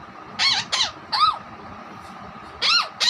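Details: Pet Alexandrine parakeet (raw parrot) that mimics a hen, whistles and speaks. Three quick harsh screeches come in a burst, then a gap of over a second before two more rasping calls.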